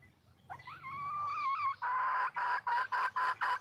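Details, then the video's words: Female red junglefowl calling in the wild to attract a male: a rising note sliding into a long, steady, harmonic tone, then six short, punchy notes repeated about three times per second. "le bruit d'une poule sauvage,เสียงไก่ป่าร้องหาถู่หาตัวผู้,ສຽງໄກ່ປ່າຮ້ອງຫາຄູ່ຮັກ, poj qaib qus see"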